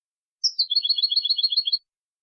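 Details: European goldfinch, clean 2020 recording: a high opening note flows into a continuous fast trill of alternating tinkling notes lasting over a second, bright and liquid, on a silent background.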